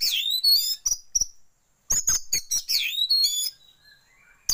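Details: An Oriental magpie-robin (Copsychus saularis) sings a varied run of bright, down-slurred whistles broken by harsh, buzzy rasps and chatters, with two short pauses; it is offered as a lure recording to make magpie-robins fan their tails.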